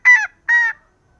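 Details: Two short, harsh, nasal honks about half a second apart from a female green junglefowl calling to lure lazy males into crowing, in an otherwise quiet recording.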